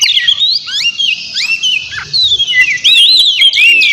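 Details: Noisy, vigorous kacer song played as a lure to draw a rival's reply: shrill whistled slurs rising and falling, crowded together with short buzzy fragments and hardly any pause.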